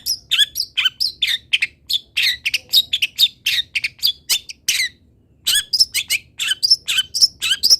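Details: Long-tailed shrike song as training audio for other birds: a dense run of harsh squeaky and chattering notes, about three per second, with a brief pause midway before resuming.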